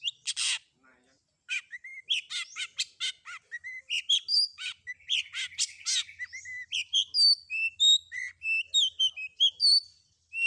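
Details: Long-tailed shrike combination filler song meant to prompt other shrikes to reply: a burst of harsh noise, then a long varied stream of quick whistled chirps, slurred notes and rising and falling phrases.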